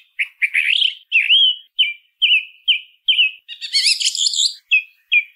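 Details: Song thrush delivering a string of short whistled phrases, several repeated two or three times, with a harsh high jangling phrase near the end and no other sounds.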